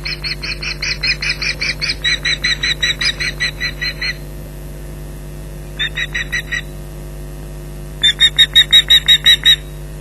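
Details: At Loch Garten on 15 July 2011 a female osprey defends her nest and young against an intruder, giving rapid bursts of shrill whistled yelps in three separate runs, with a constant low hum.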